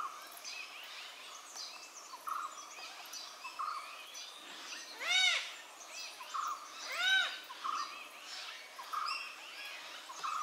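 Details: Malabar grey hornbill giving two loud, arched, nasal calls with stacked overtones about two seconds apart, set against a dense chorus of other chirping and whistling birds.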